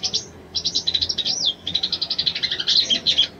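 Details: Calling female Crescent-chested Babbler, meant to arouse a male, utters a continuous string of fast, high twittering notes with a brief swooping whistle near the middle, growing louder at the close.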